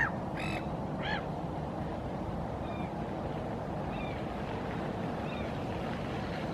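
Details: Black-headed gull standing on a rock in Helsinki, Finland, in April 2023, giving two harsh, nasal calls in quick succession in dialogue with another gull answering with fainter short notes nearby, over a steady low rumble.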